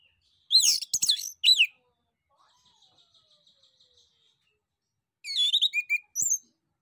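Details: Male orange-headed thrush gives two bursts of loud, varied whistled and chattering phrases, with a soft series of quick high notes between them.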